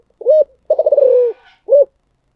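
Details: Spotted dove cooing in the thổ sấm style prized by Vietnamese bird keepers: an arched opening coo, a long rolling coo that pulses then glides down, and a final rounded coo. Clear and close.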